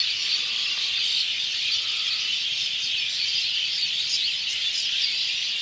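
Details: A flock of sparrows perched on electric wires in rural Bangladesh on an afternoon, some flying off together, keeps up a dense, unbroken chatter of high, overlapping chirps and cheeps with no pause.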